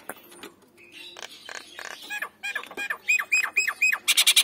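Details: Male and female Nias hill mynas calling: soft scratchy sounds at first, then bright arching whistles repeated in quick succession, ending in loud harsh bursts.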